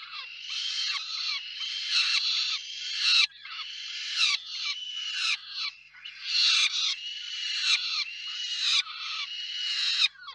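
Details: Peregrine falcon pair at their Reda nest (KOKSIK), 4 May 2023, with food brought by the male and passed on by the female. A near-continuous run of loud, grating, harmonic wails with falling ends, about one each second.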